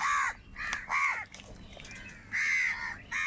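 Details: Crows fighting for food, giving harsh, hoarse caws: four loud nasal calls of about a third of a second each, spaced irregularly, with fainter cawing from other birds in between.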